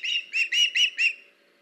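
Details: Osprey at a camera-watched nest, 21 August 2019, as the male arrives with a fish for the female; a short burst of five ringing whistled chirps, evenly spaced, then silence.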